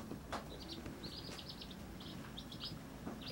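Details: Chicks beside their mother hen give quick, high-pitched peeps in loose bursts, a steady stream of short chirps with faint low background noise.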